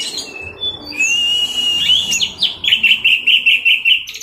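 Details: Teler song of a caged Orange-headed thrush over a noisy background hiss: a few scattered notes, a long drawn whistle, then a fast string of about eight short repeated whistled notes.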